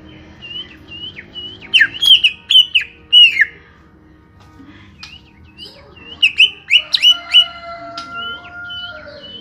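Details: Greater green leafbird of small build delivering clustered phrases of piercing whistles with downward flicks. Two steady, level tones hum beneath the later phrase.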